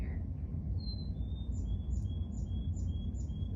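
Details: Unusual hybrid-zone song of a black-capped x Carolina chickadee hybrid, played back indoors: a brief lower note, one high clear whistle, then about eight repeats of a squeaky upper note paired with a straight level whistle, over low room hum.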